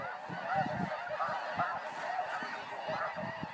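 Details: Snow geese in a flying flock, a dense chorus of overlapping nasal honks and yelping calls from many birds, continuous with no pauses, with low rumbling thumps underneath.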